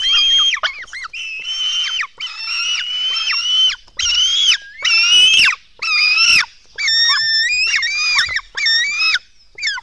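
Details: Black stork young clamour at the nest during a 04:53 feeding on 24 June 2016. Piercing, reedy screams with wavering pitch sound in repeated half-second to one-second bursts. One sharp clatter comes near the middle.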